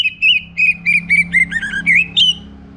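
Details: Orange-headed thrush morning song, used to prompt other birds to sing: a continuous string of about nine clear whistled notes, some dipping and some rising, ending on a higher flourish over a faint steady hum.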